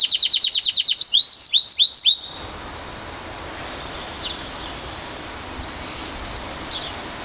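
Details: A one-year-old Yarrell's siskin mule, bred from an intensive green Fife canary, gives a two-second burst of song: a fast, high trill, then a few sweet, sliding whistles. Faint chirps follow against quiet background hiss.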